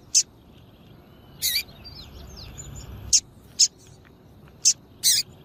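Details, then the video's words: Double-collared seedeater female giving her call, meant to stir up males: six short, piercing high chips, some doubled, scattered across a few seconds, with faint thin slurred whistles from background birds between them. "PIADO DE FÊMEA DE PAPA CAPIM PARA DEIXAR SEU PAPA CAPIM DOIDO"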